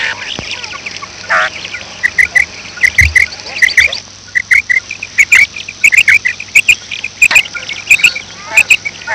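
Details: Morning calls of a female quail, a rapid series of clipped, high double notes repeated about one and a half times per second, broken by a pause, over a faint background hum and occasional knocks.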